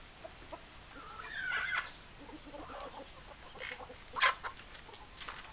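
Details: Chickens clucking: low, soft clucks run throughout, broken by a drawn-out, harsher hen call near the start and a sharp, loud squawk-like note later, over faint background hiss.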